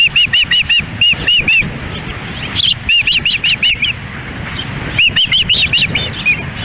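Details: Ospreys at a Lolo, Montana nest during a windy feeding on June 10, 2017, female feeding, male standing by; three bursts of fast whistled downslurred chirps separated by brief pauses, with wind rumble beneath.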